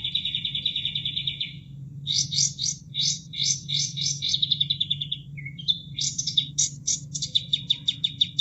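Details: Sooty-headed bulbul song used to train caged songbirds, set over running water; varied bursts of fast chattering notes and rolling trills in short repeated phrases, with steady low water rush throughout.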